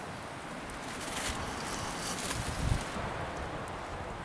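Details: Wind gusts and rustling outdoors with low rumbling, and no animal call heard.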